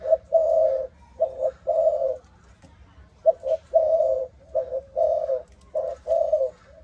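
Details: Malaysian-line spotted dove bred for its "âm thổ" cooing style: deep, mellow coo notes grouped in short phrases, with a gap between bursts and a quiet background.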